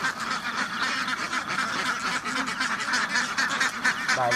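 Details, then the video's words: Many farm ducks together make a continuous noisy racket of short, coarse quacks, dense and unbroken throughout. "duck farm ducks house بطخ بطخوں کا فارم"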